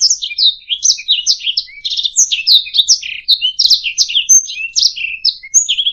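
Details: A canary pours out fast, varied song meant for training other birds, with rolling trills, sharp down-slurred chirps and a couple of level piping whistles near the end, all in a quiet setting.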